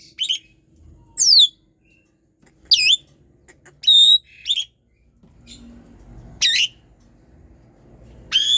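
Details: Asian pied starling, a bird in strong song used to stir quiet birds: scattered loud squeaky whistles and downward sweeps, separated by silent gaps of about a second.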